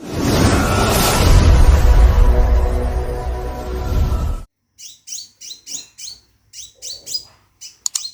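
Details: Loud noisy background sound with music-like tones fills the first half, then a caged Scarlet minivet calling for a female gives spaced high chirps dropping in pitch, roughly four a second.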